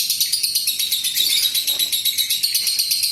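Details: Lovebird pouring out a long 'ngekek' trill meant to draw other lovebirds into singing: a fast, metallic, high-pitched rattle of repeated chirps, continuous and even in loudness.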